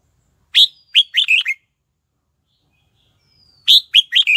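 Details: Red-whiskered bulbul lure bird singing to bring wild birds to fight, 2022: two crisp phrases of five whistled notes, each opening on a high clear note, about three seconds apart.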